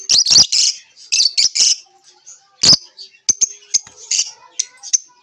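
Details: Lovebirds chirping: shrill, raspy high chatter in quick clusters, followed by a run of short sharp chirps and squeaks roughly evenly spaced.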